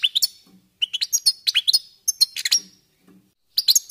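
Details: European goldfinches warming up with clipped phrases of high tinkling and twittering notes, a slurred rising note here and there, in three bursts split by short silences.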